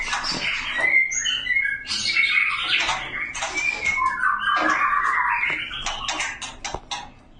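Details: A male magpie-robin calls to a female, inviting her to mate. The call is a fast jumble of harsh squawky notes and whistled slurs, with clicking sounds and faint background noise.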